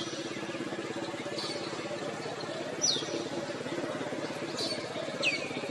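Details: A male crimson sunbird calls: thin, high, sharply down-slurred notes spaced a second or two apart, over a steady low mechanical hum.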